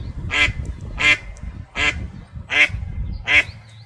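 A duck gives five loud, nasal quacks spaced under a second apart.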